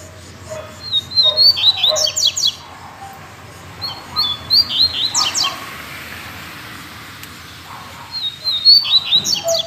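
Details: Two captive Double-collared Seedeaters sing together after a brief pause when the owner thought they were entering moult: bright, high, quick-fire phrases of sharp twittering notes, each burst about a second long, returning every few seconds over quiet hiss.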